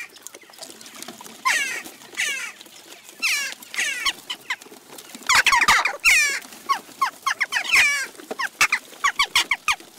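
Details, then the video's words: Flock of western jackdaws at a garden feeder in Recke, Germany, on June 29, 2021. Many short, sharp, downward-sweeping calls overlap in bursts, some calls clustered and others spaced apart, with soft rustling between them. "Jackdaw Invasion"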